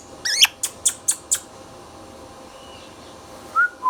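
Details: Indian ringneck parrot kept as a pet: a rapid string of five sharp, high squawks in just over a second, followed by silence and two short whistled notes near the end.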